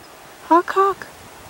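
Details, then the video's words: Common raven at Paramount Ranch, Santa Monica Mountains, California, on 28 January 2021, with a red-tailed hawk circling above, gives two short, hoarse, mid-pitched croaking notes in quick succession, the second slightly longer. "Mean Raven Call - Hawk Call - Plain Raven Talk"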